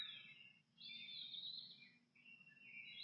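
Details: An American robin sings in the pre-dawn chorus in Ohio, clear, slurred whistled phrases in short rising and falling bursts, with a steady low hum underneath.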